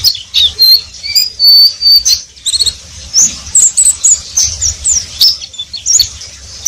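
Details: Riwik-style singing from an Oriental white-eye (pleci): a sustained thin high whistle followed by lively twittering, quick chirps and upward-slurred notes, steady and busy throughout.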